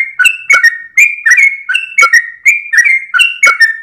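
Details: Sooty-headed bulbul at early morning, tail wagging, giving its long 'gacor ropel' song as a tutor for other birds; full-toned whistled phrases roll between high and low notes, each opening with a crisp tick.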